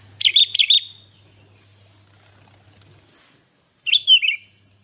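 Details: Sooty-headed bulbul in lively song, played to rouse other bulbuls: a quick burst of three bubbly, liquid notes, a pause of about three seconds, then a warbling phrase that slurs downward; faint low hum in the gaps.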